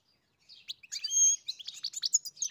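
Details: European goldfinch singing on a farm: a quick, tinkling run of high twittering notes with buzzy trills and a clear sustained whistle in the middle, the phrases growing denser toward the end.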